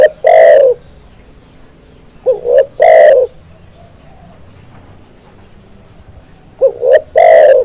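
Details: Loud cooing of a spotted dove, kept as a training model to bring other doves into calling. Phrases open with two quick upslurred notes and end in a drawn-out harsh coo, with long quiet gaps.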